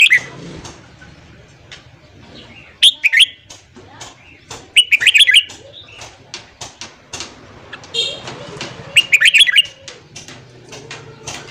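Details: Red-whiskered bulbul morning song for training newly caught birds: three short, bright warbled phrases spread across the passage, among many sharp clicks, ticks and faint chirps.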